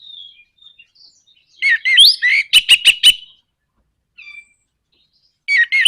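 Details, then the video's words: Orange-headed thrush in nraktak konslet style, a song used to provoke other birds into singing. Jumbled slurred whistles lead into a fast series of four or five sharp, clicking rattle notes. After a pause a new burst of loud whistles begins. "PANCINGAN NRAKTAK KONSLET ANIS MERAH BIKIN GACOR ATASI SUSAH BUNYI"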